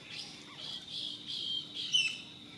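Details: A morning flock of Hispaniolan parrots feeds and squabbles in fruit trees. They give harsh, raspy squawks, about five overlapping bursts in under three seconds, with a sharper, louder screech near the end.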